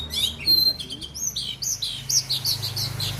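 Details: Oriental magpie-robin kept in Aceh, Indonesia, delivering quick thin whistles and a run of loud upslurred notes repeated in fast succession, over a low continuous hum.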